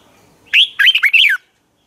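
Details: Red-whiskered bulbul fighting song used to train birds: one loud, clear phrase of four quick warbled notes, the last sliding downward, in silence.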